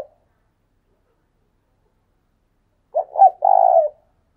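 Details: Spotted dove acting as a decoy bird, calling "thúc sung": after a long quiet stretch, a single deep phrase of two quick notes and a long throaty coo.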